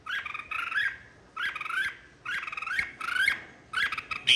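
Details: Red-whiskered bulbul singing in a 2023 singing contest, a fired-up song said to call the flock: four bright warbled phrases, each under a second, with rising and falling whistled notes, separated by short pauses.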